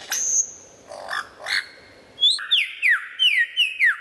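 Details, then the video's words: Lyrebird song: a high steady whistle and a few soft notes lead into a run of five bright, downward-sliding whistles repeated about every third of a second. "Lyrebird sound"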